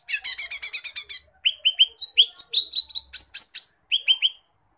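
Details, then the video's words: Chatty lesser green leafbird (cucak ijo mini) in tutor song full of imitated phrases: it opens with a fast buzzy rattle of about ten pulses, then gives a steady series of bright whistled notes and upswept chips, roughly two or three per second. "Kicauan burung cucak ijo mini gacor muntah isian"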